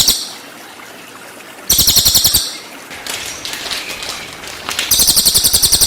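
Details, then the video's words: Cililin song in 'tembakan' style, used to train white-rumped shamas: separate bursts of fast, high, rattling pulses, with softer scattered chirps between the loud trilled phrases. "MASTERAN CILILIN FULL TEMBAKAN"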